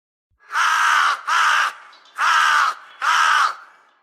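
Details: Crow giving four loud, harsh, drawn-out caws in two pairs, each about half a second long, with a short gap inside each pair and a longer pause between them, against a silent background.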